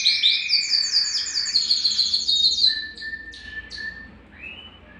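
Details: Belgian canary song for warming up males and bringing hens into breeding condition: a fast high pulsed trill descending in steps, then a level whistled note, isolated chips and a short rising whistle.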